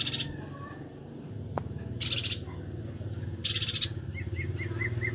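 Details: Bornean yuhina (Perenjak Batu) from Kalimantan, a vigorous singer for training songbirds: three high pulsed chatter bursts about one and a half seconds apart, a single click, and a faint run of soft short notes at the end.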